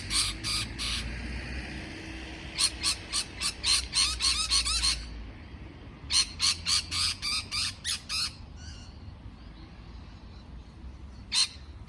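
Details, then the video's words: Parrot chirping in harsh, buzzy bursts: a quick triple, a fast run of about eight notes, then another rapid string, with a few scattered single notes toward the end over low background rumble. "美丽的鹦鹉鸣叫beautiful parrot chirping sound call"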